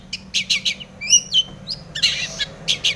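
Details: Long-tailed shrike in full mimicry song including tomiceng phrases, meant to make other shrikes sing. Harsh grating bursts alternate with clear sliding whistles in a quick, uneven sequence.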